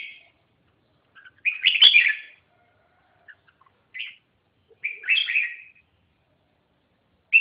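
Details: Red-whiskered bulbul repeating loud, rich warbling phrases roughly every three seconds, each with a quick rising and falling whistled flourish, with short quiet notes in between.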